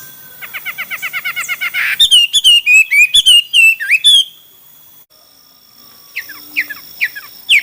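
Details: Chinese hwamei in a singing contest: a rapid series of soft, even notes gives way to loud, varied whistled phrases with rising and falling slurs. A pause follows, then a few thinner notes return.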